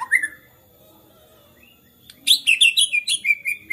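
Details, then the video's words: White-rumped shama in agitated song: a short whistled note, then a quiet gap of over a second, then a burst of high, sharp, rapid notes and clear whistles. "MURAI GACOR NGAMUK BISA MEMANCING MURAI LAINNYA JADI GACOR"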